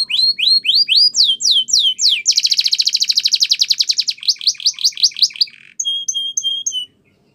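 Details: Spanish Timbrado canary singing a training song: quick rising slurred notes repeated, then a long rapid rolling trill, a burst of sweeping notes, and a last phrase of clear, evenly spaced whistles.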